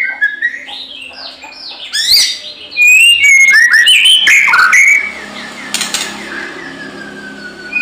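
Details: White-rumped shama in combative song, played as a lure to draw replies from other shamas: soft warbling at first, then a loud burst of quick whistles and clicks, trailing into faint high notes.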